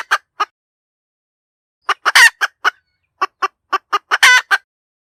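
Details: A hen chicken cackles: two clucks, a pause, then a run of quick staccato clucks with one stretched raucous squawk. After a short gap comes a second run ending in another long squawk. Clean background.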